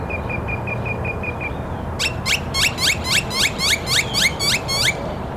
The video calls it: Another Loud Grackle